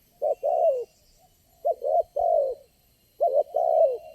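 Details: Wild spotted dove answering a lure bird: three separate cooing phrases, each a short note followed by a longer, slightly falling coo, with silences between them.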